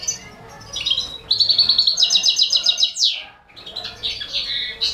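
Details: Balkan goldfinch feeding four baby canaries: a quick series of high buzzy chirps repeated about four times a second, then a falling swept note, a pause, and further twittering.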